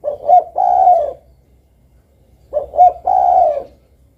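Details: Spotted dove giving two phrases of short paired notes leading into a long drawn coo, separated by a quiet pause.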